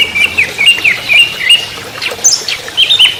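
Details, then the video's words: Orange-headed thrush trotol song: a steady warbling stream of mid-high chattering notes with a few sharp higher squeaks mixed in. "Anis merah TROTOL"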